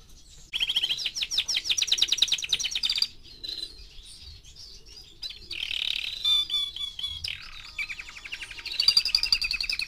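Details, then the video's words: Four-month-old canary singing a rapid rolling trill, a quieter gap, then buzzy tones and clear whistled notes, closing with another fast trill. "Кенар №1 ( 4 месяца)"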